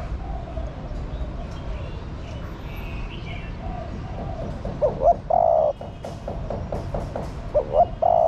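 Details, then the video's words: A female spotted dove calls to stimulate the male. Low hollow coos come in short bursts near the end, over a constant hiss of background noise. "Tiếng Chim Cu Mái Gáy Kích Bổi Hiệu Quả"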